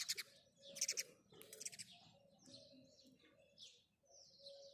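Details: House sparrow chirping in the morning: bursts of sharp, high chirps in quick clusters, then softer scattered tweets, with a steady low hum and faint background noise.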